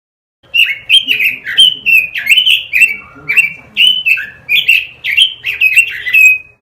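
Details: Robin song for masteran, a lure recording used to train caged birds: a steady stream of quick, sliding, whistled notes in a lively rolling rhythm, about two notes per second.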